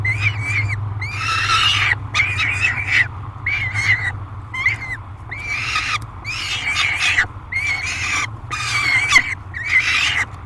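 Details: Peregrine falcon in a nest box, noisy and aggressive at feeding time, July 3, 2021; loud grating screams with wavering pitch come roughly every second over ten seconds, a constant low drone behind.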